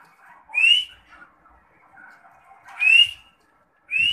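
A partridge gives loud, rising, whistled notes, three in four seconds, with faint chirps from other birds between them.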